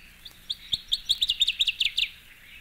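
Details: Northern Waterthrush song: about a dozen loud, sharp, ringing chips, speeding up into a quick, emphatic run over under two seconds.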